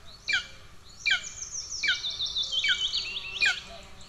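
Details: Golden eagle chicks begging from hunger in Estonia on 2 June 2024, amid sibling aggression: four sharp, high notes sliding downward, spaced under a second apart, over a continuous piercing chatter.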